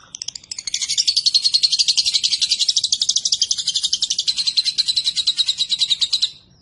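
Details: Lovebird giving a long ngekek: a continuous high, rapid rattling chatter sustained for about five seconds, pulses tightly packed and fairly even, fading out at the end.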